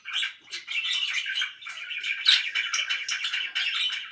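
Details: Pet budgerigars chattering loudly: a steady, dense warble of scratchy chirps and squeaks, with short pauses between bursts.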